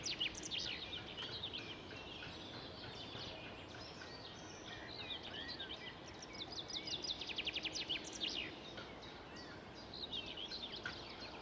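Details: Two young red kites in their 2020 nest beg during feeding with thin, high whistles and quick chittering bursts, overlapping at once, against steady background noise.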